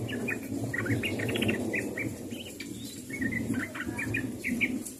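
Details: Sooty-headed bulbul calling to its companions: a run of short, bubbly, chirping notes in quick succession, slightly rising and falling, over a steady low rumble of background noise.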